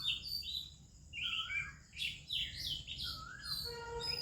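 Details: Morning song of an Oriental Magpie-Robin in India, other birds also singing: a rich string of sweet, varied whistles, some rising and falling slurs, others short chirps, over a faint low hum.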